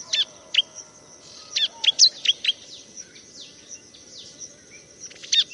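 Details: Bar-winged prinia singing, a recording used as a master song for training birds: sharp, steeply falling chirps delivered in quick clusters of two to four, pausing between bursts, over a steady thin high-pitched whine in the background.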